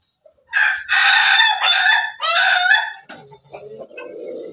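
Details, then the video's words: Crowing Pelung chicken: a loud, bright, multi-part crow lasting over two seconds, followed by lower grunting and clucking sounds. "ayam pelung berkokok"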